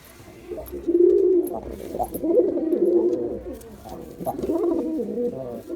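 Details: A male Girabaj pigeon performs with a run of soft, low, burbling coos that blend into a continuous murmur, with faint clicks throughout.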